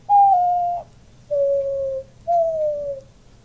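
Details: Male pet diamond dove cooing beside its owner, puffing up as it coos: three smooth, mid-pitched coos, each sliding gently downward and lasting under a second, spaced about a second apart in a quiet room.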